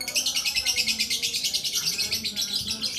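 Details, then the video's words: Lakbet bird singing a continuous high trill of fast, evenly pulsed notes, roughly three per second, sustained without a break. "Burung ajaib durasi panjang lakbet"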